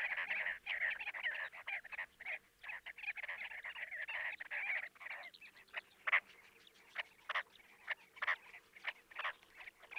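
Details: Chestnut-bellied sandgrouse near Jeddah, Makkah Region, Saudi Arabia give throaty, gargling calls: a dense overlapping chatter at first, then thinning to separate guttural bursts every second or so.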